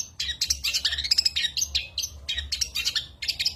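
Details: Long-tailed shrike in full-burst isian song, used as a tutor for contest songbirds. Continuous, busy high chatter of scratchy notes and quick trills with hardly any gaps.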